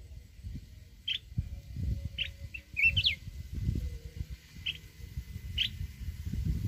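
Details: Wild-voiced song of a mountain red-whiskered bulbul, used to stir decoy birds: short clear whistled notes and a quick warbled phrase, spaced every second or so, over heavy low rumbling noise and a steady high hum.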